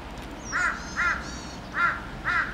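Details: Crows massed by the hundreds on power poles in a local village; four loud hoarse caws in quick pairs, with a faint higher whistle from another bird.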